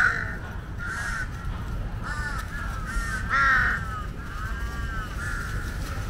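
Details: A large flock of wild jungle crows (Corvus macrorhynchos) waits for scraps beside a feeding asian water monitor; repeated raspy caws come roughly once a second, one louder nearby bird standing out, with steady low background rumble.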